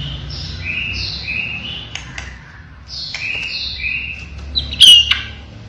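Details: Caged white-rumped shama of the blorok variety singing actively: clear whistled phrases of sliding notes, repeated in bursts, with sharp clicks and a loud sudden note near the end.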